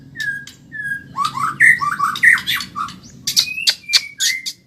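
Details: Caged white-rumped shama, Medan type, in fast training song: clear level whistles, then tumbling rich warbles and sharp high chipping notes in quick succession.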